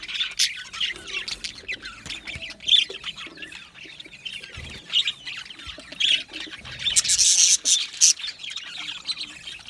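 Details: Australian budgie parrots in an aviary, scattered sharp high chirps and squawks with gaps between, building to a louder burst of shrill calls near the end.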